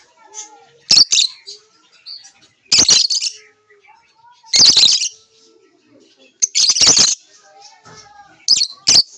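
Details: Lovebirds chirping: loud, harsh, high-pitched bursts of rapid chirps arrive in clusters about every two seconds, with faint, lower, softer tonal notes and quiet rustling between the bursts.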